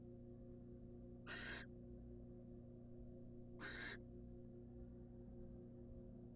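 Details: Female barn owl, wild, at a research nest box as the male brings her a rat. Two rasping, noisy screeches about two and a half seconds apart, each brief and broad, with constant background hum between them.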